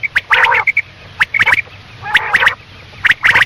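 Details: Quail calling at night: bursts of harsh, nasal chattering notes mixed with short flat whistled notes, coming in clusters about every second with brief quiet gaps and faint background hum.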